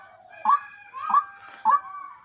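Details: Female partridge kept as a hunting decoy bird, calling: three loud, nasal, honking notes about half a second apart, each with a short rising squeak, in a quiet setting.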